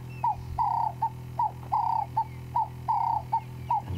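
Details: At sunrise on February 12, 2016 in the Sabi Sand bush, a ring-necked (Cape turtle) dove repeats a three-note phrase, a short note, a long rolling coo, then a short clipped note, about once every 1.2 seconds, over a low steady hum.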